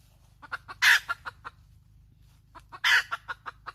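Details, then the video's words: A hen gives quick clucks leading into a loud rasping squawk, then a pause before a second cluck run and squawk, over a faint low hum. "Suab poj qaib tsauj dib tuaj zoo heev"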